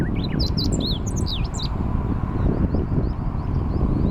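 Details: Meadow bunting singing by a river embankment on 29 May 2021, recorded while cycling past: a quick burst of high, varied chirps and slurred notes lasting about one and a half seconds, then faint high notes over a heavy low rumble of wind and movement.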